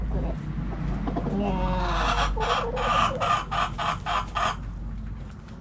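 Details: Backyard chickens in their coop: a drawn-out rising call opens, then a run of about eight sharp, evenly spaced clucks with a low hum beneath.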